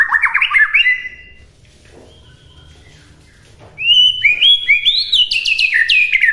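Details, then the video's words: White-rumped shama master recording: a burst of rising chattering whistles, a quiet pause of about three seconds, then loud, high whistled phrases stepping upward and sliding down. "MASTERAN MURAI BATU MUDAH DI TIRU AUTO LANGSUNG LATAH"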